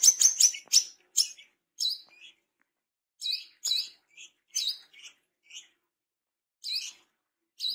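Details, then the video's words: Tame brown-throated sunbird in moult, singing actively: bursts of short, sharp, very high chirps and twitters, rapid at first, then scattered notes in irregular clusters with quiet gaps. "KOLIBRI KELAPA BESET JINAK GACOR"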